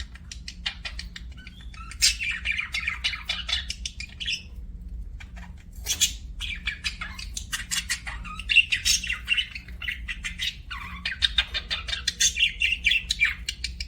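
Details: Budgie chirping in long stretches of busy, buzzy chatter mixed with clicks and squeaky notes, a short pause near the middle, over a low hum.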